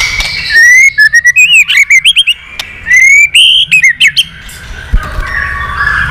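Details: Wild-caught white-rumped shama singing a varied contest song with constant tail wagging; bright whistles around one pitch band, broken by fast stuttering notes and sharp rising and falling slurs, delivered in loud bursts with short gaps.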